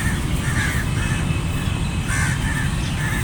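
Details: Crows in a flock call with rough caws, a pair early on and then a quick cluster of three near the end, all set against a constant deep hum.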